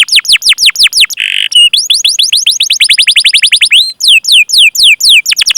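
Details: Canary chirping 'cuit cuit' as a prompt for other canaries to sing: quick falling notes, a brief harsh buzzy burst, then a rapid rolling trill that breaks into slower swooping whistles.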